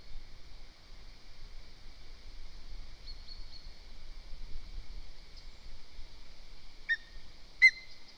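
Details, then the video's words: At a nest in Zemgale, Latvia, a worried female lesser spotted eagle calls the male because another bird is too near the nest: two sharp, high yelping notes near the end, each dropping quickly in pitch, over a constant high ringing drone. "MOM WORRIES _ CALLS DAD. SOME BIRD IS TOO NEAR THE NEST."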